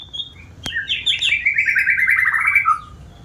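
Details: White-rumped shama, a diligent singer, pouring out a dense run of warbled notes that slides from high whistles into a long rattling trill around the middle pitch, ending in a dropped note.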